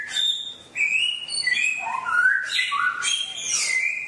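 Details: Wild-sounding songbird song for caged birds to copy in daily ten-minute sessions: clear high whistles, a short quiet gap, then notes descending in steps before bursts of sharp bright phrases.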